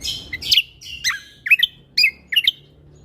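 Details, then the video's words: Lesser green leafbird chatty song for tutoring other birds: bright slurred whistles, then pairs of sharp, falling chips about half a second apart, over low background noise. "Cucak Kombo Gacor Mentalan Pas Untuk Masteran Burung Isian Tembakan"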